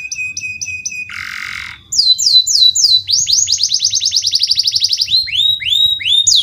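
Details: Canary song as a lure to train young canaries: a short repeated flat whistled phrase, a harsh buzzy burst, then looping rising notes and a fast rolling trill ending in upward sweeps.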